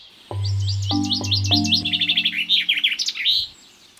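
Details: Common chaffinch, the commonest bird in Switzerland and France, sings its bright refrain of about 2 to 3 seconds, given from mid-February, sometimes thousands of times a day: a tumbling descending run that accelerates into a roll and ends in a flourish, over low musical tones.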